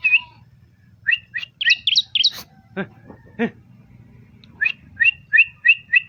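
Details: Bar-winged prinia song of sharp, high chirps in small clusters, ending in a regular series of double notes, each roughly a third of a second apart, with a low background hum.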